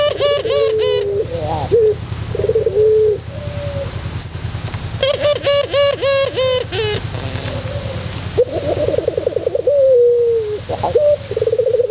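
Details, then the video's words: A white Barbary dove sings in the long pelung cooing style for tutoring: bursts of deep vibrating coos alternate with drawn-out level notes across the recording, a steady low hum underneath. "masteran puter pelung putih manggung"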